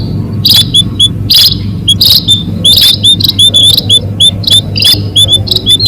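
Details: Munia lure call used to catch birds: bursts of high thin chirps and short upswept notes in quick clusters, separated by brief gaps, over a steady low hum.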